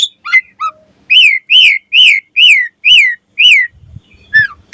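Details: Asian pied starling singing vigorously in the morning: a few short varied notes, then a run of six loud, clear, arched whistles, each rising then falling, about every half second, ending with softer scattered notes.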